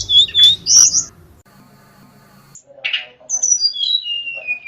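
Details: Hill Blue Flycatcher, a wild mountain-forest bird with a song full of imitations, gives clear high whistles, then a pause, a short buzzy burst and a long descending whistled phrase over a faint low hum.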